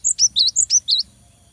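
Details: Cinereous tit singing energetically to goad a rival: six loud, high whistled notes in about one second, alternating a sharp upper note with a slightly lower slurred one, then quiet with faint low hum.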